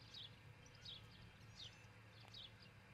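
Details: Osprey at a nest in Charlo, Montana, captured by a nest cam in early morning, 22 June 2018. A short run of thin, high, falling chirps, roughly one per second, sits above a constant low hum.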